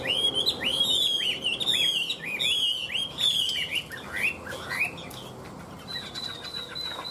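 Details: Nonstop singing from a Chinese hwamei with an even, warbling voice: a run of bright, rising-and-falling whistled loops, then scattered sliding notes and a long steady high whistle near the end.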